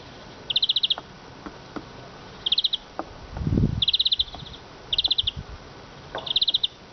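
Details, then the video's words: Eurasian siskin calling: short rapid buzzy pulse trains, high and even, in bursts about every one to two seconds, with faint clicks and a brief low rumble midway. "iskete kusu sesi"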